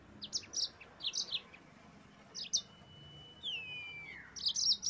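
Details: Yellow-fronted canary singing to provoke rivals: short clusters of high sharp chirps, a long level whistle that slides downward, then a dense chattering burst at the end.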